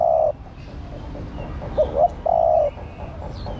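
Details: A long coo trails off from a female spotted dove calling to excite the male, then a complete phrase follows: two clipped upward notes and a steady hooting coo. Faint high bird chirps are heard in the background.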